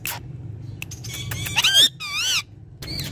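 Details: Ringneck parrot kept as a talking pet, uttering a quick descending then rising tonal squeal, followed by a wavering buzzy harmonic syllable and a brief high note, with soft low hum behind.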